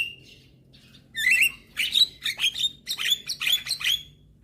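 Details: Young black-winged starling in song, a lure recording meant to prompt quiet starlings to sing: after a second of near silence, a run of bright whistled notes with rising, sliding phrases, delivered in quick bursts.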